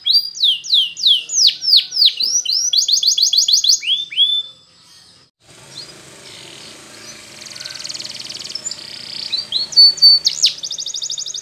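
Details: Spanish Timbrado canary song for training young singers: quick series of falling whistled notes and a pulsed trill for four seconds, a pause, then a faint distant warble and a final bright trill.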